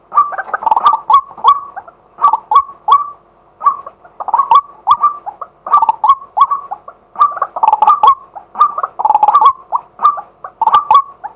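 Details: Live daytime recording of a male white-breasted waterhen calling as a decoy: rhythmic series of rough, croaking double notes, delivered in clusters about every second over eleven seconds, with faint clicks between them.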